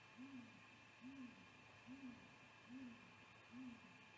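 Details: Male great grey owl at its nest, recorded by a live nest cam on 10 February 2020 in the afternoon, gives five soft, deep hoots less than a second apart, thought to be a contact hoot, over a faint hum.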